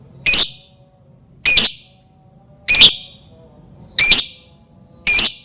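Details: Lovebird calling as a bait sound meant to set other lovebirds singing: five loud, shrill, harsh squawks spaced about every 1.2 seconds, each short and piercing, against a quiet background with faint low hum.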